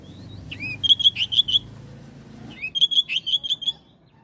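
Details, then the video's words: Oriental magpie-robin singing to trigger a response from other magpie-robins: two bursts of rapid, repeated sharp whistled notes, each opened by a swooping slur, with a faint low hum beneath. "Kacer jenis apapun jika dengar suara ini langsung RESPON"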